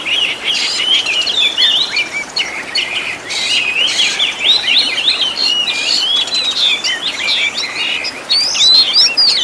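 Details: Oriental magpie-robin (kacer) master song for training caged birds, packed with varied imitated phrases: dense, rapid run of whistled slurs, chirps and short buzzy bursts, continuous without pause.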